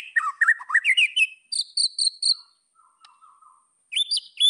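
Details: White-rumped shama song for provoking rivals: a jumble of varied liquid whistles, three repeated high clear notes, a few soft low notes, then bright high whistles again.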